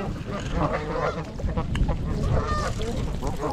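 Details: Wild trumpeter swans, a flock of 42 (26 adults, 16 juveniles), in winter at Gallup Park, Ann Arbor, Michigan, on January 8, recorded on a GoPro. Nasal, horn-like honks overlap at irregular intervals over steady low background rumble.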